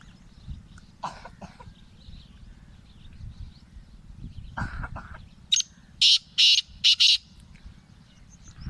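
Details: Black francolin (Kala Teetar), a large Gangas-Laka cross bird: scattered harsh notes, then a loud run of four to five grating, broadband bursts packed close together near the end, over a steady low rumble.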